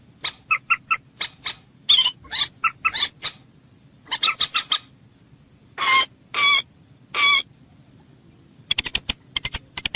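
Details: Common moorhen voice used for hunting: abrupt, harsh clucks in quick runs, then three longer rasping squawks and a scatter of sharp clicks, with a faint low hum underneath.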